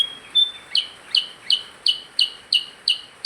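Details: Percang singing busily: a thin high whistle, then loud, clipped two-tone chirps repeated evenly about three times a second, clear over a quiet background.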